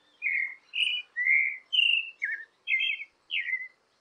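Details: Creamy-bellied thrush (Turdus amaurochalinus), a migratory thrush, sings clear whistled phrases, about two per second, each a short varied slur around a middle-high pitch, against a quiet background.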